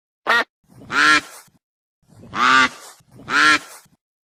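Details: Goose calling with one short sharp note followed by three long, loud, strained honks, each swelling and fading, spaced roughly a second apart.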